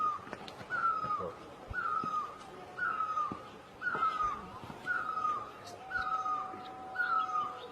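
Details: Great barbet from Asia repeating a loud, mellow two-part note roughly once a second, eight times, each note rising sharply then sliding down; faint chirps of other birds in the background.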